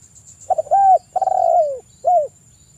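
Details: Spotted dove calling, played as a lure to get other doves cooing: a few stuttered low notes, then a hollow coo, then a long drawn-out falling coo and a final short coo. A steady faint high whine runs throughout.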